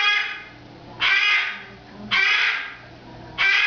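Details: Indoors, a female cockatoo screams in her morning-and-evening routine, well into a five-minute bout; three long, harsh, grating screeches about a second apart, each a broad rasping blast that fades slowly.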